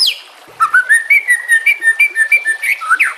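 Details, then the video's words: ['Murai batu, the white-rumped shama, in a training song with water sounds: a sweeping downslurred note, then a fast run of rich, liquid whistled notes repeated about every tenth of a second.'] "Masteran murai"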